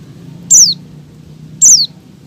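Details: Two piercing, descending notes from a female Oriental white-eye in breeding condition, calling to make males sing, about a second apart, with quiet low hum between.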